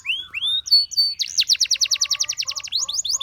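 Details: A Gloster canary sings two upslurred whistles and two short high buzzes, then breaks into a rapid, even rolling trill of swept notes lasting nearly two seconds.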